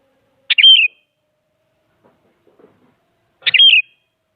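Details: Sooty-headed bulbul, a very active singer used to push rival bulbuls into singing, gives two short bubbly whistled phrases about three seconds apart, each a quick warbled flourish with a clear note, against an otherwise quiet background.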